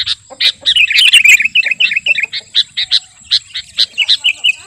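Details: Kutilang garuda (sooty-headed bulbul) in lively song for use as a lure and master: tumbling opening warble then evenly spaced short chirps, roughly four per second, with a continuous thin high tone.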